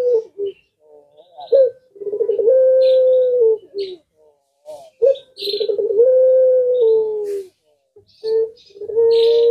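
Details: Puter pelung collared dove repeats rolling coos that stretch into long steady tones, about three phrases in all, while other small birds chirp and twitter in the background.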